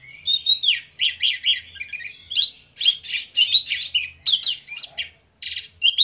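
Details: Two orange-headed thrushes singing in the morning: loud repeated harsh whistled notes with rapid chattering bursts, delivered in quick pulses about twice per second with brief pauses.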